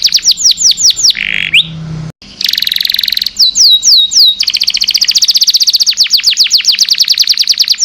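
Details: Canary with long song for teaching caged birds: quick descending whistles, a harsh buzzy burst and a short silence, then a high tonal note, swooping whistles and a long fast rolling trill.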